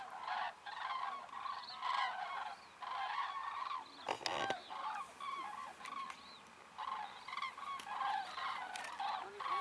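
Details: Common cranes at dusk on Rügen, Germany, heading to roosting sites on Ummanz island after sunset, part of over 20,000 birds; loud rolling trumpeting calls in overlapping bursts from many birds, pausing briefly, with a short rustling noise midway.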